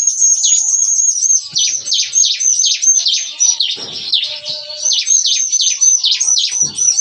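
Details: A lively morning 'nembak-nembak' song from bar-winged prinias (ciblek kristal) caged in a breeding aviary: loud, very rapid series of sharp, high, downward-flicking notes, each topped by a thin whistle, repeated about four per second.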